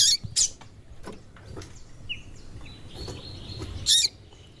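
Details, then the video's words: Female white-throated seedeater calling to stimulate the male: two quick high chips at the start, a quiet stretch with faint tones, then one final sharp chip. "Piado de Fêmea de Coleiro e chamando muito - esquente seu coleiro"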